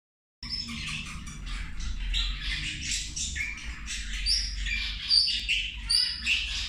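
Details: Zebra finches at a midday meal, giving dense overlapping nasal, buzzy honking calls in a continuous chatter, with a few sharp high squeaks near the end and a low steady hum beneath.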